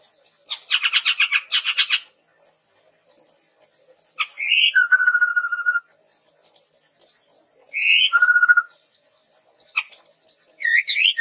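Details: Song of the red-rumped tepus, played to train and lure captive birds: buzzy chattering bursts, then rising whistles dropping into a long, even, quavering lower note, repeated about every four seconds.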